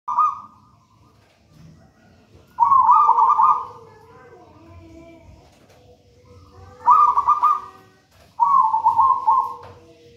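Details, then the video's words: Local wild-origin zebra dove, taken from a nest in a raja banana plant, singing vigorously: three rolling, stuttered coo phrases, each about a second long, with pauses between them. Fainter sliding calls and a low hum sit underneath. "Perkutut manggung gacor"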